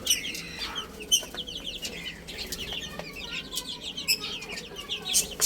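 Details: A flock of baby chicks, busy eating and playing, keeps up rapid high-pitched downslurred peeps. Scattered sharp tapping clicks sound among the calls.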